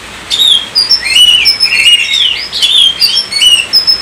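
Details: An Oriental magpie-robin sings a bright series of clean whistles and downward-sliding notes, with rapid twittering and a few rough accents, close and clear.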